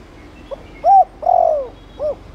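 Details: Thổ Đồng-style coo of a spotted dove, meant to set other doves cooing: a faint lead-in note, a short rounded coo, a drawn-out descending coo and a final clipped note, all low and mellow.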